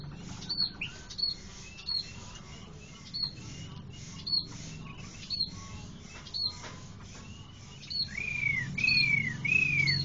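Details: Chinese hwamei gives short, sharp high notes about once a second over steady low background noise, then breaks into loud, slurred whistles that rise and fall in arcs.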